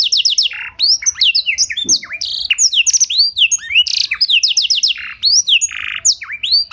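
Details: Canary with a blackthroat song fill, clear-toned, recorded to spur other canaries into song: nonstop rapid chirps, falling and rising whistled slurs, and harsh buzzy notes packed tightly together.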